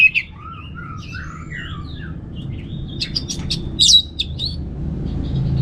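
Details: Orange-headed thrush in a relaxed ngeplong-style song: soft slurred whistles rising and falling early, then a cluster of sharp high chirps and a bright burst, with low background hum.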